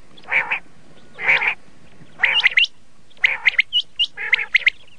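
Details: Red-colored common quail, or laal batir, calling with harsh grating bursts that give way to clusters of sharp rising chirps, roughly one phrase per second.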